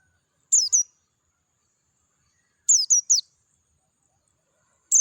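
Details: Clear-voiced Dakun Oriental white-eye singing in the wild: a pair of sharp, very high falling notes, a pause of two seconds, then a fast triplet, and a final single note.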